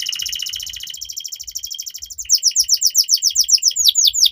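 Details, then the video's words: Young canary in a long, lively training song: a high buzzing roll gives way to a fast run of repeated downslurred chirps, with faint low thumps beneath. "Pancingan KENARI Paud AGAR Cepat BUNYI || MASTERAN Burung Kenari Gacor PANJANG"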